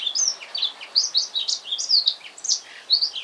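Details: Black-throated canary, a newly bought caged male singing at home on the afternoon of purchase: continuous high, varied warbling of quick swooping notes and short trills, bright and sweet.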